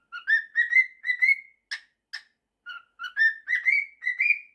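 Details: Pet cockatiel, a male, whistling a tune mashup of 'September' and 'If you're happy and you know it': clear rising whistled phrases, two sharp clicks, a pause, then more upward-sliding whistles.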